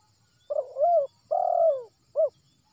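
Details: Spotted dove, a wild bird from West Sumatra, calling as a lure for trapping: a low tremulous coo, a long drawn rolling coo falling at the end, then one short clipped hoot, with faint background hum.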